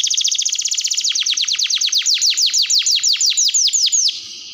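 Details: Canary in long, vigorous song, used as a tutor and lure: a rapid chip trill slows into a run of loud, evenly spaced downward-sweeping notes, about four per second, then stops abruptly.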